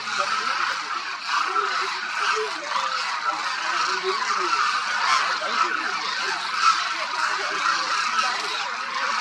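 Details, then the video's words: Thousands of Demoiselle Cranes feeding and moving across the grounds of Khichan Bird Sanctuary, Rajasthan, India, in winter; a dense, unbroken chorus of overlapping honking calls with a few lower rolling notes beneath. "The sound of thousands of Demoiselle Cranes echoes across Khichan Village, Rajasthan"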